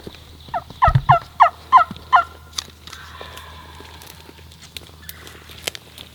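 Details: A wild turkey tom gobbles on a hilltop on opening day of the 2026 spring season, on wooded property with a creek bottom: a fast, rattling burst of about six throaty notes under two seconds, then quiet outdoor hiss and a soft thump.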